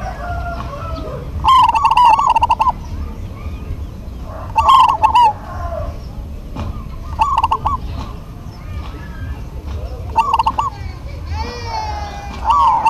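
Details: Lively duet of local zebra doves answering one another: repeated rolling coo phrases with clicks roughly every three seconds, some near and some fainter, with thin whistles from other birds and a low hum.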